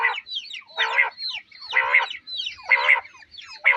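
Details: Quail calling in a steady series of harsh, buzzy notes, repeated roughly once a second.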